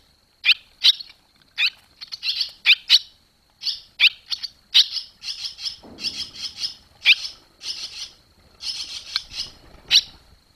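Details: Barn swallows on 21 July 2023 as the young fledge from the nest, giving high, thin chirps and twittering bursts, several a second at times, with a faint low rumble behind.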